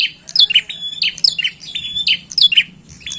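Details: Rapid, bright chirping from a bar-winged prinia, piercing downward-sliding notes strung together in quick succession with barely any pause.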